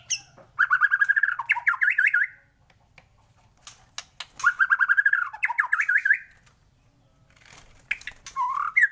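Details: Morning trigger song of a white-rumped shama: two long bursts of rapid, harsh, chattering notes that wobble up and down, then a short rising whistled phrase, with quiet gaps between bursts.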